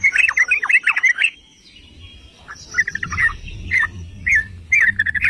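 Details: Yellow-vented bulbul singing to stir rival bulbuls: a quick tumbling run of bright bubbly notes, then short chortled phrases spaced about half a second apart over low background noise.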